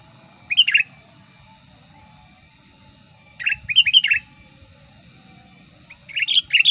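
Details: Sooty-headed bulbul used as a lure bird, singing loudly when wild bulbuls approach; three short bubbly whistled phrases of quick rising and falling notes, spaced a few seconds apart, over a faint low hum.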